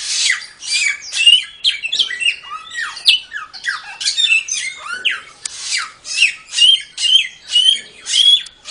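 A samyong sings a busy, varied medley of harsh chattering notes and quick slurred phrases, ending in a run of clear, high whistles repeated about twice a second.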